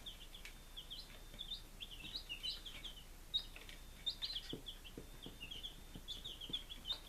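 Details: Baby chickens aged five days, Lunenburg, Massachusetts, 23 July 2017: a steady stream of high, overlapping cheeps from several birds, with soft clicks in the background.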